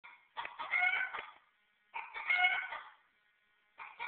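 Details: A white Silkie rooster gives a crow said to sound like Woody Woodpecker: two rough, stuttering, laugh-like bursts about a second long, each made of rapid pulsed syllables, followed by the start of a third.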